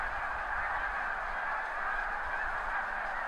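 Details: Thousands of snow geese massed on crops near the seaway at high tide, mid-April to mid-May, recorded from a backyard; a continuous distant murmur of countless overlapping honks filling the whole stretch.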